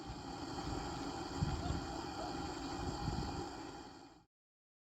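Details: Steady broadband rumble with low, engine-like noise and no clear animal calls, fading out near the end.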